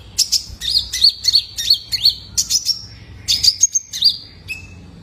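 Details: Young male Brown-throated Sunbird lure for caged birds: dense, high-pitched chirps and short whistles delivered in two lively bursts, closing with a lower trailing note.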